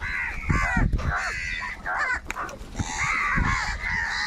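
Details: Crows fighting over food, calling very loudly: harsh, overlapping caws with stacked harmonics come in bursts, while thumps and scuffling noises sound underneath.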